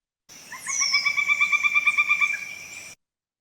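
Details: Pileated Woodpecker, Kentucky, gives a rapid, even run of about fifteen loud, ringing 'kuk' notes over two seconds, shorter, lower and more powerful than the flicker's call, opening with a thin, falling whistle.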